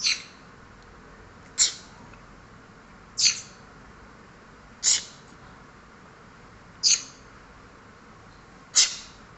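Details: Indian talking parrot kept as a pet, sneezing: short, sharp, hissing bursts, six in all, spaced roughly one and a half to two seconds apart, in a quiet room.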